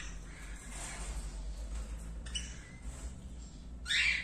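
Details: Rose-ringed parakeet (Psittacula krameri), a newly paired turquoise-blue male and albino female, gives short, harsh, screechy squawks, the loudest burst at the very end, over a steady low hum.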